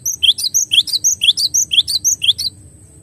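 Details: Cinereous tit (glatik batu), a clear training recording for songbirds: rapid sequence of high whistled two- and three-note phrases, about two per second, steady and regular, then stopping; faint low hum beneath.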